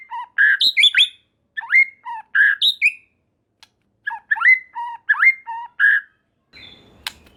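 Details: White-rumped shama (murai batu) song meant to provoke other shamas into answering: bursts of rich whistled and warbled phrases, with swooping slurred notes and sharp high ticks, separated by short pauses, ending in a click.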